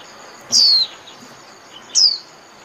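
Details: A white-eye calling the flock with two separate high, thin notes that slide steeply downward, about one and a half seconds apart, against quiet background hiss.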